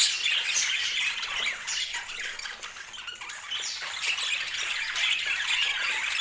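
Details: Colorful pet budgerigars chattering together: a dense, continuous wash of high, scratchy chirps and squawks overlapping without pause, swelling and fading in loudness over six seconds.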